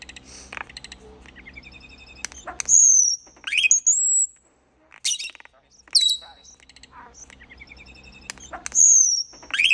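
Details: Common starling singing in slow motion, with loud high whistled slurs and sweeping notes separated by short silences, plus clicky rattles in between.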